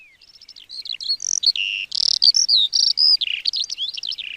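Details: Lark, a small brown mottled ground bird of fields and meadows, singing to mark territory and attract a mate: a rapid continuous outpouring of high chirps, trills and whistled slurs with no pauses.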